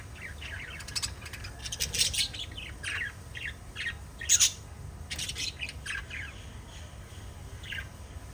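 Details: Five lovebirds chatter together with sharp, high chirps and harsh squeaky notes.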